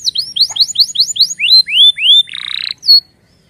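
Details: Canary's rapid warning sounds: a string of quick descending chirps, then longer rising whistled slurs, a short harsh buzzy burst and a final sharp note, in a quiet setting.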